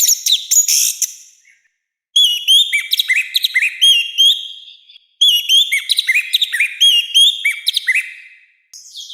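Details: Harsh, loud orange-headed thrush song for training and provoking birds: a high chattering burst, then long rapid series of repeated short slurred whistles and chirps in two main phrases, with brief silences between them.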